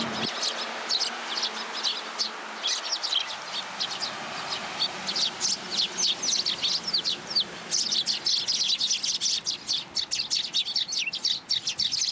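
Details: Young sparrow that flew into a plum tree at a Tenmangu shrine to be fed, 15 June 2022. Dense, rapid high chirps pour out almost without pause, growing busier and sharper toward the end.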